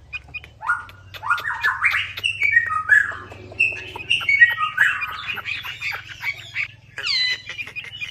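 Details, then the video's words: Hwamei singing as a lure for silent birds: rising stepped whistles, then a varied rambling warble with scratchy clicks scattered through, ending in higher bright notes. "PANCINGAN WAMBI MACET"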